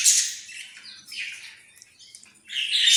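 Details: Australian parrots giving a bright burst of high chirps and squeaky warbles, then a quieter stretch before the chatter rises again.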